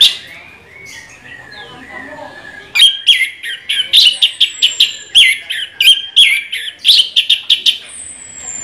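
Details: Orange-headed thrush in sustained rolling song: after a quiet start, a steady run of loud sharp chirping notes repeated several times a second, with a thin high whistle drawn out above.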